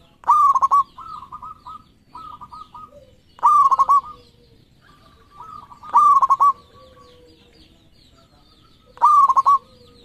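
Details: Local zebra dove with thirteen tail feathers, a lively singer, gives loud rolling cooed phrases of quick throbbing notes, repeated about every three seconds; softer drawn-out coos from other doves fill the gaps, with faint high chirps behind.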